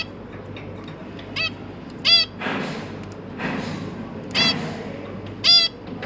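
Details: Pet zebra finches with three young being fed by their parents: loud isolated nasal beeps about once a second, separated by soft rustling bursts and low hum.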